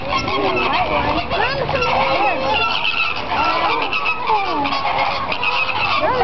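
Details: Flamingos in a flock at Sea World, San Diego, described as quite loud, making a dense chorus of overlapping nasal honking calls with bending tones, steady and continuous throughout, with a constant background rumble.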